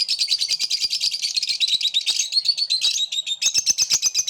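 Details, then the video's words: Several lovebirds singing together with collective enthusiasm: dense, rapid high chirping and twittering, overlapping notes repeated many times per second, with a brief buzzy stretch near the end. "Love birds sing with collective enthusiasm"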